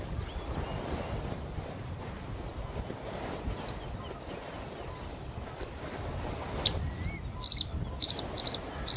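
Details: Bluethroat, a state-protected bird in China, calling outdoors: thin, high, short notes repeated about twice a second, growing louder and more varied with buzzy clipped notes near the end, over steady environmental noise.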